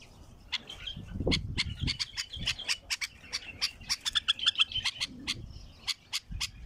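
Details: Wild bulbul's strong song: an irregular rush of sharp, snapping high notes and short buzzy whistles, quickening midway, against soft low background noise.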